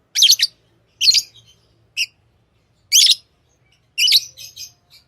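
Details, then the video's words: Tame lovebirds chirp in shrill, scratchy bursts about once a second, five distinct outbursts with a faint low hum beneath. "Love birds Sounds | lovebirds chirping sounds"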